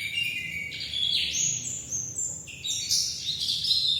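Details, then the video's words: Bali dakun white-eye delivering a lively, fast song that climbs in stepped whistled notes to very high chirps, then drops and rises again, sung without a break. "kicau pleci dakun bali"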